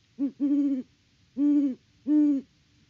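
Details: Deep hooting of a great horned owl at its nest tree on a Kansas farm in Peabody, mid-October 2023: a short clipped hoot, then three longer level hoots spaced about a second apart.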